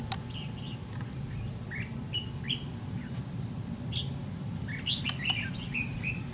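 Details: White-cheeked red-whiskered bulbul during decoy trap fighting, giving scattered short whistled notes and brief chirpy phrases, with sharp clicking knocks and a low background rumble.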